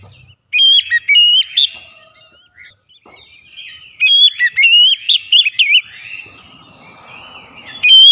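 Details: Oriental magpie-robin song with varied 'isian' fills, used to heat up a bird into singing: bright, ringing whistles in two bursts of looping notes, then a quieter, softer twitter before a final phrase.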